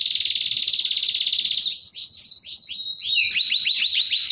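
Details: Canary singing with many 'tembakan' bursts: a fast, buzzy high trill for over a second, then a run of repeated rising-falling chirps, switching to lower swooping notes near the end; no other sounds.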